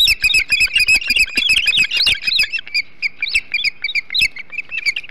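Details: At a Hog Island osprey nest, 21 July 2016, while the birds feast on a huge flounder: rapid high chirps at first, then thinning into spaced, clipped whistled notes with short pauses.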